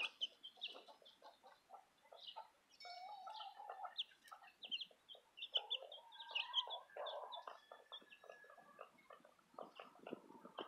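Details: Southern Rambler chicks alongside a Golden Comet chick: continuous high cheeping with lower soft clucking notes and scratchy rustles running throughout.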